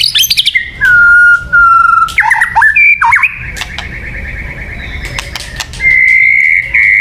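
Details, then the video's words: Lure song of a white-rumped shama, with long, steady whistled notes held at one pitch, broken by sharp ticks and a short dipping slur, loud and clear over near silence. "Suara Burung Murai Batu yang paling baik untuk pikat"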